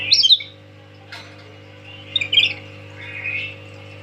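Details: Tame lory (nuri) calling: a sharp squawk, then quieter harsh notes and a soft whistled phrase, over a steady low hum.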